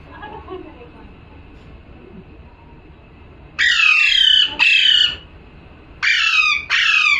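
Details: Quiet low hum at first, then a calling parrot gives two pairs of loud, raspy, downward-sliding squawks.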